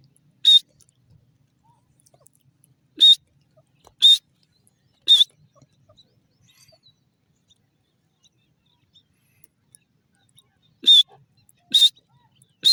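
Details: Grey francolin, sharp piercing high calls given singly, two groups of notes separated by a long quiet gap of several seconds; each note brief with a slight wavering inflection, background otherwise silent.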